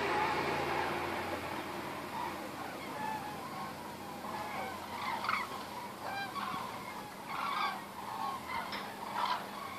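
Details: Thousands of common cranes pass over Osterath, Meerbusch, Germany, in huge waves, giving overlapping rolling, trumpeting calls, several a second, over a steady hum of distant traffic.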